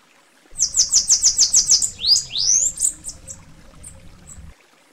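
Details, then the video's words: Song of the Bananaquit (Coereba flaveola), known in Brazil as sibite: seven rapid high, sharp notes followed by rising, wheezy sweeping slurs that trail off into softer, fainter notes. "O quinto da lista, é o canto do sibite (Coereba flaveola)."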